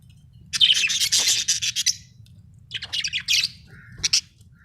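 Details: Happy budgerigar singing: bursts of dense, scratchy chirping warble, a long busy run followed by shorter chattering phrases and a final quick chirp, over a low steady hum.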